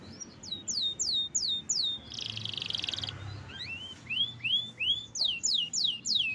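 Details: Canary singing vigorously: series of looping downslurred whistles, a harsh buzzy burst, then rising and falling swooped whistles repeated about three per second, with faint low background noise.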